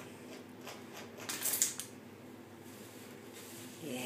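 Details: Quiet indoor room noise is broken by a short hissing burst like spraying water midway, with no bird call heard.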